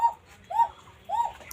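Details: Banshiraj Koka, a native domestic pigeon breed, at Ilamdahi, Tanore, Rajshahi, with a thin, fine, flute-like voice. The birds are described as frightened. Three arched, rising-then-falling whistled coos come about every 0.6 seconds in a quiet indoor space.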